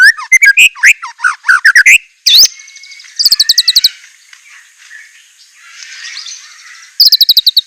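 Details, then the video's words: White-rumped shama with a richly filled song: rapid, loud varied whistles and chips, a sharp upward note, then bursts of quick high ticking trills separated by quieter pauses. "ISIAN MEWAH MURAI BATU_PALING TOP SUARA SANGAR"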